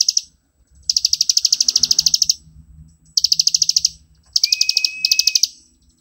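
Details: Plain prinia from grassland and rice fields singing nonstop ngebren song for master training: repeated bursts of quick high buzzy notes with short gaps, a faint steady whistle-like tone and low background rumble underneath.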